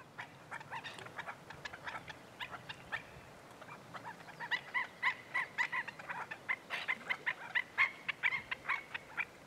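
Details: Black-necked stilts at Goldwater Lake, Prescott, Arizona, on the morning of May 14, 2017, give sharp, nasal yipping notes in quick, uneven bursts, growing busier and louder, as if several birds call over one another.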